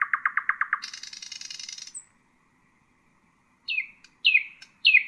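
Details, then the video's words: Song of a nightingale offered to train young birds: a rapid row of seven loud pulsed notes, a high buzzy rattle lasting about a second, silence, then three bright descending slurs. "أفضل تغريد للعندليب الحسينة لتعليم الفراخ"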